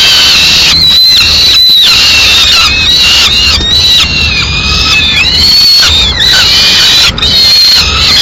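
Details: Peregrine falcon chicks in Madrid, 19 May 2016, as the female brings a pigeon that the chicks eat directly. Dense, overlapping harmonic wailing calls, high and slightly rising then falling, crowding one another almost continuously, with brief clicks and some low background rumble.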